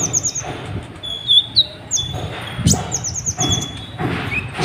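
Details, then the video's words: Sunbird, locally called kolibri ninja, singing nonstop to provoke other birds to sing: quick bursts of high, thin descending chirps and short whistled notes, with dull low knocks and thumps between phrases. "KOLIBRI NINJA EMOSI NGGA MAU DIAM , BIKIN BURUNGMU JADI IKUT BUNYI"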